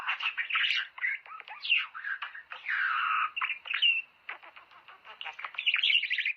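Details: Continuous budgerigar warble for prompting mating, with rapid ticking notes, nasal squeaks and a drawn-out buzzy phrase mid-sequence, chatter running almost without break.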